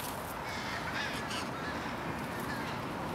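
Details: Evening pre-roost flock of American crows in Charleston, Coles County, Illinois, USA, 16 January 2015. A busy wash of overlapping hoarse caws, with no single call standing apart, over a low rumble.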